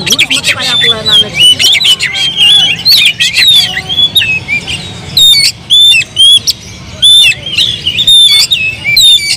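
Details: Agitated oriental magpie-robin song played as a lure to provoke other birds, loud and high-pitched, with rapid whistled slurs, sharp chips and scratchy notes in dense irregular bursts; faint background chatter.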